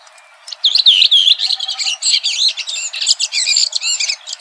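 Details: Red-throated thrush in song outdoors: a rapid, scratchy, high-pitched warble of slurred whistles and chattering notes, continuous for about four seconds over faint background hiss.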